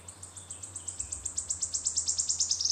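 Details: A wood warbler sings a run of about twenty high, crisp tick notes that start spaced and quicken evenly, running into a tight shivering trill at the close; steady low background hum.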